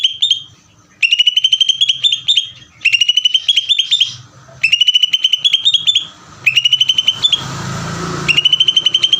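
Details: Greater green leafbird in ngeder song, pouring out fast runs of bright, piping notes in repeated phrases separated by short gaps; a brief rush of noise interrupts one pause.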